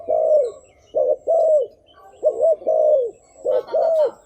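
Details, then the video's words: Spotted dove (terkukur) giving a decoy coo used to lure wild doves: deep, arched hooting notes in short clusters of two or three, with pauses between groups and faint chirps above. "Suara Pangilan Burung Terkukur Yang Memukau, Thúc Gù mp3 | Chim Cu Khách"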